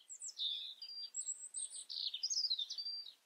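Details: European robin song: a dense, varied stream of very high twittering notes with thin sustained whistles and quick sliding chirps, continuous for over three seconds in a quiet setting.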